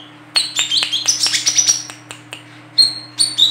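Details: Female olive-backed sunbird whose calls serve as a lure for catching birds. Sharp, high chirps come in quick, tight bursts, some sliding downward, with pauses between clusters. A steady low electrical hum sits underneath.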